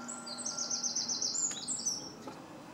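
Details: Eurasian wren in a garden pouring out a loud, very high, rapid rattling trill of fast repeated notes, over a faint steady low hum.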